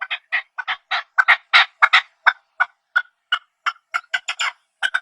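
A partridge gives harsh, raspy chattering notes in quick, uneven bursts, about three per second, with no other sounds.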